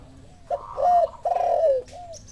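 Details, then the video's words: Cooing spotted dove answering a lure sound: two strong, hoarse, slightly descending coos in quick succession, ending with a soft trailing note and a faint high chirp. "Suara pancingan derkuku, tekukur langsung nyahut ikut bunyi"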